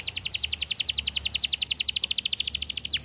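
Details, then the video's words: Canary singing a fast, dense run of high downslurred notes, about nine per second, steady and clear for three seconds, finishing with a sharp falling sweep. "Masteran Kenari Gacor Speed Rapat‼️Durasi panjang dan jernih"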